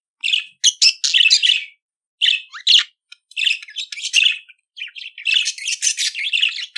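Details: Budgerigar song for training pet budgies to sing: near-continuous scratchy warbling and chattering chirps, broken by brief pauses, high-pitched and raspy throughout.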